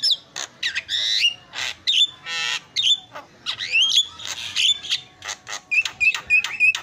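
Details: Javan myna, a cage bird, in a very noisy master recording used to train other birds: harsh squawks mixed with rising whistled notes and chattering bursts, ending in a run of short repeated whistles.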